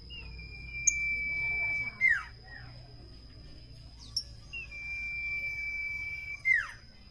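Common iora giving a long, level, drawn-out whistle that ends in a quick falling slur, sung twice about four seconds apart, over a faint steady high whine.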